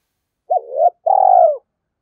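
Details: Spotted dove coo played as a lure to provoke other doves to call: a short rising note, then a longer, steady, slightly falling coo, mid-pitched and clean against silence.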